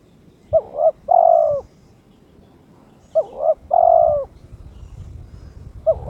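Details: Owned spotted dove, aroused and challenging an opponent, gives two full phrases of a short two-note coo and a sustained, slightly falling coo, then begins a third phrase, with faint low background noise.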